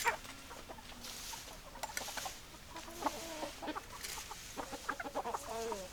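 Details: Clucking hens, irregular runs of short clucks and a couple of buzzy stuttering calls, with a brief rising note at the end, busy flock chatter behind.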